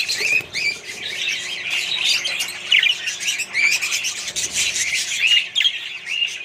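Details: Colony of Australian budgerigars kept with other birds, giving dense, continuous chirping and warbling chatter with many overlapping high squeaks and short whistled notes, no pauses.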